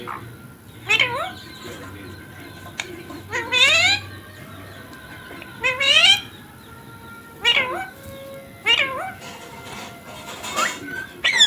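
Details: Pet rose-ringed (ringneck) parakeet talking, saying words such as "mummy" and "papa": short, rising, nasal syllables, about seven bursts one to two seconds apart, with a faint low hum underneath.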